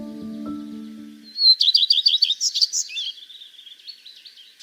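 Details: Common redstart (Phoenicurus phoenicurus) song: a high, clear opening note breaking into quick, jumbled twittering and warbling, with a few low musical notes fading out just before it begins.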